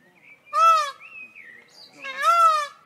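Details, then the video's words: Male Indian peafowl gives two loud, nasal, wailing calls about a second and a half apart, each rising then falling, with faint thin whistles between them. "Verso del pavone maschio"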